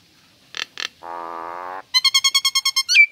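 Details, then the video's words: Caged female Nias hill myna singing: two short raspy bursts, then a sustained low buzzy drone lasting under a second, followed by a quick series of about ten clipped, harmonic chirps ending in a sliding whistle. "Jalak Nias Gacor Betina"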